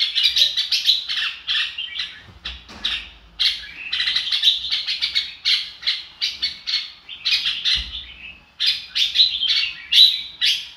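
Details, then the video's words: Chào mào, or red-whiskered bulbul, in an energetic "ro kích bổi" song: fast phrases of bright chirped and whistled notes with short pauses between bursts, a couple of low thumps in the background. "chào mào ro kích bổi sung theo"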